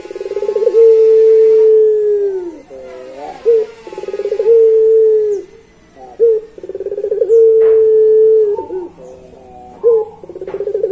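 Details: Pelung-type Barbary dove giving its long-voiced song: low steady coos, each long drawn note preceded by quick stuttering pulses, repeated several times across the recording.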